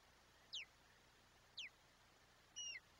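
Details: At a Chesapeake Bay osprey nest, 22 July 2021, during a fish delivery to feed the chick. Two clear down-slurred whistled chirps a second apart, then a flatter drawn-out double note, all faint over continuous hiss.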